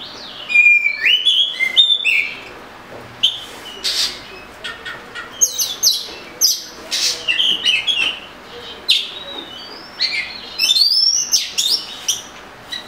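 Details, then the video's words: Murai kampung, the Oriental magpie-robin, delivering a long rambling song of clear whistles, quick chirps and scratchy buzzy notes in irregular bursts, some phrases rising sharply. "Murai Kampung/ Magpie Robin"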